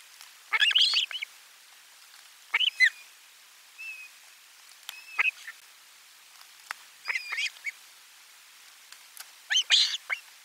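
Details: Osprey calling at nest #4 during a lunch fish delivery on 12 July 2022: harsh, high whistled yelps in irregular clusters, with a thin drawn-out whistle midway and lighter chips between louder bursts.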